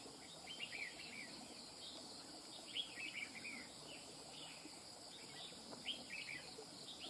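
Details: Wild-caught red-whiskered bulbul singing fast, machine-like song phrases: short whistled, warbling bursts repeated throughout, set against a steady high insect drone and faint background hiss.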